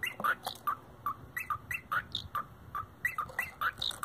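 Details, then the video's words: A pet cockatiel imitating 90s rave techno music, giving quick clipped whistled chirps in a pulsing, danceable pattern, with short higher squeaks between the notes and a soft low background rumble. "European Techno Birb"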